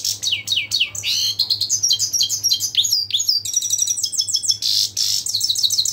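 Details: European goldfinch in rapid, tinkling twittering song, dense runs of sweet high notes and buzzy trills following one another without pause.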